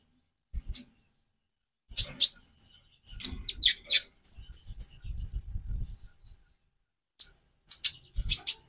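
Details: Song variations of the konin (purple-throated sunbird), played to set other birds singing: scattered high squeaks and twittering over a soft low rumble, with a tight run of chips at the end.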